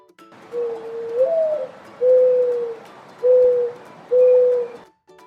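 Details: Mourning dove (Zenaida macroura) coo: a soft, hollow, upslurred first note, then three steady, lower coos about a second apart, mournful and owl-like.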